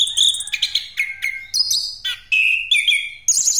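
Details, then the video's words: Continuous rolling song of an Orange-headed thrush, played to lure other birds: clear whistled phrases stepping between high and middle pitches, each held briefly, with scratchy twitters between them. "Anis Kembang Pastol Ngeroll Buat Pancingan"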